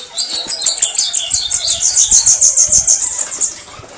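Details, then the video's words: Bananaquit singing a canto de foguear style song: a rapid, very high series of thin, buzzy notes, about three per second, some dipping slightly lower, running steadily for over three seconds before fading out. "CANTO DE FOGUEAR SIBITE CAMBACICA CAGA CEBO MARIQUITA"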